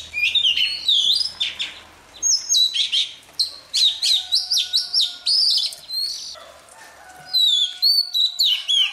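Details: Morning practice song of a freshly trapped Oriental magpie-robin: a near-continuous run of loud, varied whistles, slurred rising and falling notes and scratchy chatters, with brief pauses, plus a steady low humming tone in the background partway through.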